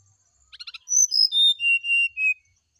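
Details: Brown-chested jungle flycatcher singing in the morning, a fluting song used to prompt a reply: a few short buzzy clicks, then a clear whistled phrase of about six notes stepping down in pitch, with long final notes.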